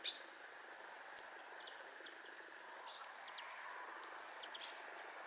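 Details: A pair of Brambling in Scrignac, Brittany, France, in January 2018: one sharp, high, chirping call opens the recording, a fainter similar note follows near the end, with soft ticks over a steady background hiss.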